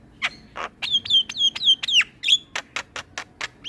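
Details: Male Asian pied starling in song for tutoring other starlings: a string of short, downslurred whistled notes about five per second, followed by harsh clicking bursts.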